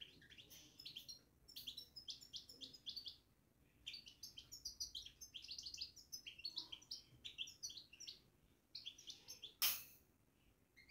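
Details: Batbata babbling of a caged European goldfinch: long runs of fast, chattering, tinkling twitters with brief pauses, and one loud click near the end.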